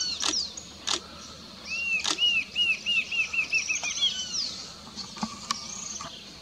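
A Rufous-capped antshrike gives a run of about ten nasal, arched notes that quicken over two seconds, with sharp clicks and thin high whistles around it.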